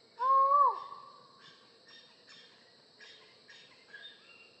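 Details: Collared forest falcon utters one loud mournful 'aow' that cuts off with a downward slide, then only faint scattered higher sounds follow.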